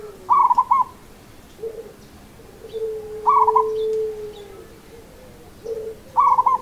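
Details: Local zebra dove repeating rhythmic, stuttering coo phrases roughly every three seconds. A lower, level whistled note is drawn out between them.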